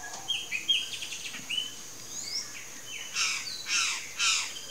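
Palm Tanager giving a rapid jumble of high squeaky chips and thin slurred whistles, ending in three harsher buzzy notes; a steady background hiss throughout.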